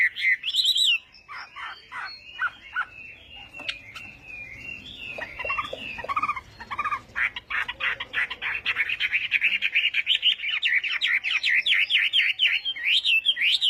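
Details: Chinese hwamei singing in the morning for voice training: a varied run of clipped, jumbled notes that build into a fast, dense stream of high whistles and trills toward the end.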